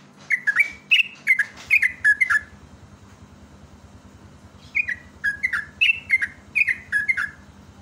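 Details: Yellow-vented bulbul lure song for prompting birds to sing: two bursts of bubbly, liquid whistled notes, quick rising and falling phrases in a tight cluster, a silent gap of about two seconds between them, with a faint low hum behind.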